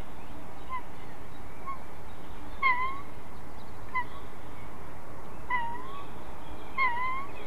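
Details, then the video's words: During a family squabble over prey at a nest in Ķemeru National Park, Latvia, white-tailed eagles give short thin yelps and wavering calls, spaced irregularly, faint against constant background hiss. "Ģimenes strīds par medījumu / Family dispute over game"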